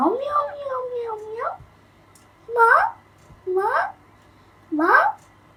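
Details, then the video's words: Young Alexandrine parakeet, two and a half months old, practising talking in the morning: one long wavering, squeaky utterance, then three short harsh rising calls spaced about a second apart, with a faint low hum behind. "Baby Parrot Talking Learning time | Alexander Parrot"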